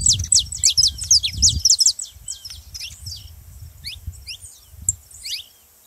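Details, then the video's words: Saffron finch song to rouse other canaries into singing: quick run of sharp, high chirps at over three per second for two seconds, then sparse fainter notes, with low background rumble. "canário da terra pra foguea seu canário frio"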